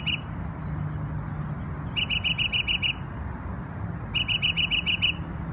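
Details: A bird in New York sings on Memorial Day, giving two bursts of rapid, evenly spaced clipped notes, about seven per burst, separated by silence, with faint low rumble behind.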